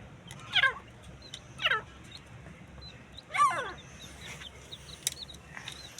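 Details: Partridges fighting: three harsh calls falling sharply in pitch, the first two close together and the third after a pause, then thin high bird chirps and faint clicks.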